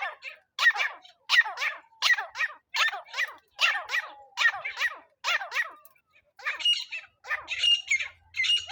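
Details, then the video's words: Francolin call used as a lure for trapping with a net: harsh, rasping notes with falling sweeps, given in bursts roughly every 0.7 seconds. After a short pause, higher scratchy notes follow. "teetar hunting sound"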